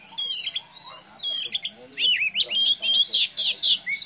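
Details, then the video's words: Caged household Oriental magpie-robin in full song meant to draw answers from others of its kind: dense, loud mix of shrill whistles, harsh buzzy notes and quick upslurred chirps in tight succession. "Kicau kacer, dijamin kacer lain bakal nyaut"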